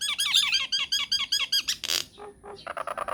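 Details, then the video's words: Myna lure recording to provoke answering mynas: a fast series of hooked whistled notes repeated several times a second, one loud harsh burst, then softer low chips and quick squawks. "PANCINGAN / MASTERAN SAKTI UNTUK SEMUA JENIS JALAK, JALAK APA SAJA AKAN NYAUT | MYNAH BIRD"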